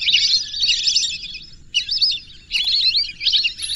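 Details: Whistling ducks calling together, a dense chatter of high, thin whistled twitters in overlapping bursts, with a brief pause near the middle and a soft low background rumble.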